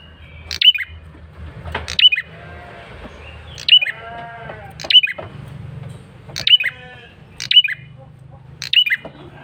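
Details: Male red-headed prinia calling insistently as a lure. Crisp, high, downslurred chirps come about every second, with soft nasal, bleat-like wavering sounds between them and a low hum beneath.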